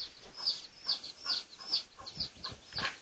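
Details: Red junglefowl of the pradu colour form, from a research recording dated 18 August 2023: bright, high chirps that sweep downward, repeated roughly every 0.4 seconds, with some low thumps near the end.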